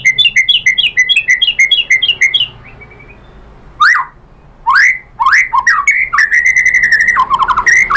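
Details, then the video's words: White-rumped shama lure song meant to provoke a reply: a fast run of repeated rising-falling whistled notes, a short pause, then sharp upslurs and a long steady whistle ending in twittering phrases. "pancingan MURAI BATU bikin EMOSI NYAUT BONGKAR MATERI ISIAN"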